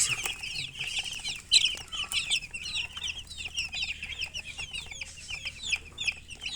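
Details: Many young chicks calling at once, each peep short, shrill and dropping in pitch, forming an unbroken chattering chorus with a louder burst early on.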